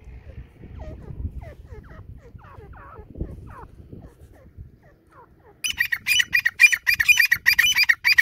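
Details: White partridge calling: faint, thin, curved notes over low rumble at first, then from the sixth second loud, harsh, rasping notes in a fast rhythm of about two per second.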